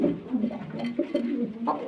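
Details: Pigeons kept on a farm in Gazipur, Bangladesh, with short throaty coos that repeat in a low rolling pattern inside a small room.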